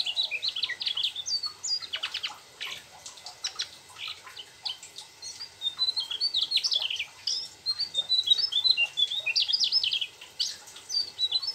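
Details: Long run of continuous rolling song from a Mugimaki flycatcher that includes sooty-headed bulbul mimicry: rapid, high, sharp chirps and twittering whistles in lively bursts, broken by brief gaps.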